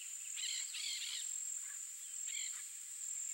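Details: Peach-fronted parakeet (Eupsittula aurea) nesting in a termite mound during breeding season gives harsh, grating screeches: a quick burst of three, then a single call a second later, over a steady high insect drone.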